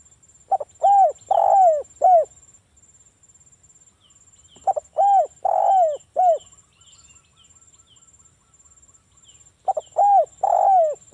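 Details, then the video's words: Spotted dove song used as a lure so other doves answer, in wild 'ngalas' manner: three cooing phrases about four seconds apart, each of four to five arched, slightly descending notes, with the middle note drawn out; a steady high whine persists. "SUARA BURUNG TEKUKUR ini PANCINGAN TEKUKUR suara Ngalas"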